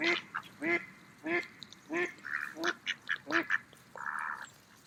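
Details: Mallard ducks feeding in a park on an autumn day, giving a series of nasal, harmonic quacks roughly every half second, with shorter buzzy, higher calls mixed in toward the end.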